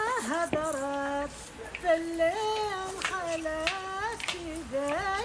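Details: Female voice singing a melodic line with hand claps, no animal heard.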